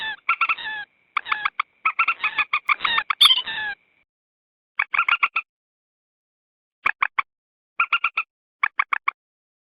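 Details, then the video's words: Common moorhen calls used as a lure to bring wild birds near in swamps and rice fields, edited slow version: a busy opening of chattering clucks and squawks, then spaced short bursts of four or five quick ticking notes. "Suara pikat burung Mandar_Pelan_Common Morhen_Gallinula Chloropus"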